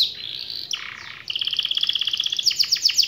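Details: Canary song used to get reluctant canaries singing and rolling: a buzzy descending phrase, then a fast even trill that shifts into sharper, emphatic repeated notes.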